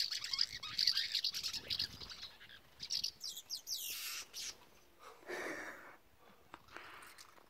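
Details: Nest-building, breeding house martins (Delichon urbicum) at the Dollard visitor centre, Groningen, Netherlands, 8 April 2017, give dry, high twittering chirps in quick bursts, about two a second, then softer scattered notes with a brief rushing sound.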